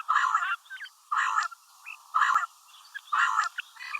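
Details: A female common quail gives rough, croaking bursts, each about half a second long, at a steady pace near one per second, with soft twittering notes between them.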